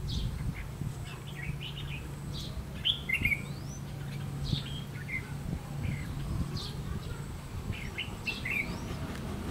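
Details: Red-whiskered bulbul used as a decoy to lure wild birds for trapping, recorded 30 May 2016: short bright chirps and quick upslurred whistles in scattered bursts, over a steady low hum and rustling background.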